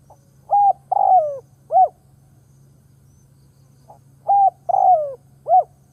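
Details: Wild doves are lured by this ground decoy spotted dove's cooing. Two phrases sound roughly four seconds apart, each with a soft grace note, a level coo, a drawn-out falling coo and a short rounded coo. A faint hum runs below.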